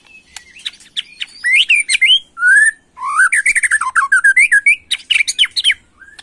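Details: White-rumped shama, young, in agitated 'macul' style: loud whistled slurs and rising notes, then a long rapid sequence of clear, fluty, up-and-down whistles with scratchy high accents.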